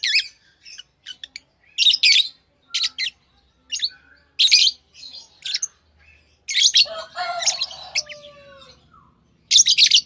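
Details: Lovebirds give bursts of piercing high chirps, then a longer, rougher squawking stretch with lower tones, ending in a loud chirp.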